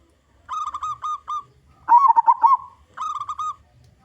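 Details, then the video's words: Local zebra dove with a big voice, kept as a lure for its kind. One rolling, fluttering coo phrase sits between two evenly spaced series of steady, honk-like tonal notes from another caller. "Perkutut Lokal Gacor Suara Besar"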